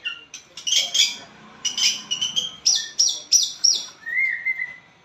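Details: White-rumped shama of the blorok variety singing constantly, used to coax a lazy shama into song: varied phrases of bright high notes, then a quick series of repeated downslurred whistles about three per second, ending in a lower drawn-out whistle.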